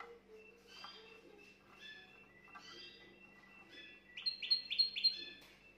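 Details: Canary song played to stimulate a female: soft scattered chirps and short notes at first, then a brief burst of four loud rising whistled notes near the end, with a faint steady low hum beneath.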